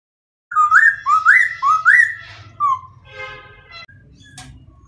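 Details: White-crested laughingthrush song: four loud rising whistled phrases near two seconds apart, then a lower slurred note and a burst of harsh chattering notes; faint low hum throughout.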